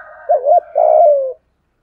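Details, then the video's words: Decoy spotted dove of the 'giọng thổ' voice type calling to attract wild birds: a faint hum leads into a bumpy two-note coo and one long, steadily sliding-down coo. "Tiếng chim cu gáy kích bổi nhanh nổi hiệu quả - Chim Cu Mồi"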